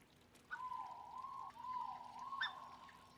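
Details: Black-necked swan cygnets, three about five days old at a breeding center, give long, clear whistled peeps that waver and dip slightly, one about every two seconds, over a soft trickle of water.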